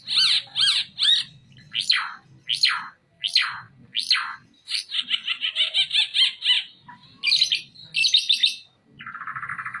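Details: Oriental white-eye song used as a master recording for training other songbirds: sharp chipped notes, then steep descending slurs, a fast buzzy trill run near the middle, and a lower rasping buzz at the end.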